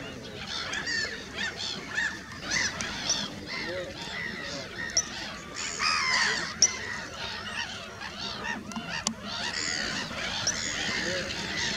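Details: Eurasian coots at Valdai, Russia, in spring 2024, giving loud, abrupt honking calls, several birds overlapping in a busy stretch of nasal, clipped notes against faint background noise.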